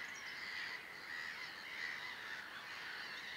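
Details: Garganey (Spatula querquedula) in spring, April 2013, at the Harchies marsh in Belgium, giving a dry, crackling rattle that runs almost without pause, fairly high-pitched, over a steady hiss of background noise.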